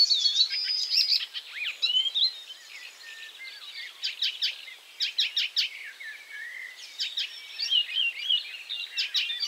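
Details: Icterine warbler singing after moving to a new perch and taking a caterpillar: rich mixed phrases of clicking, rattling notes interspersed with whistles and chatter, delivered in uneven bursts.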